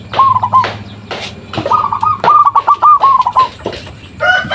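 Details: Local zebra dove used as a lure to draw answers from other zebra doves: rapid bursts of short, bubbling cooing notes at even pitch, strung into trilled phrases, with clicks and rustling between.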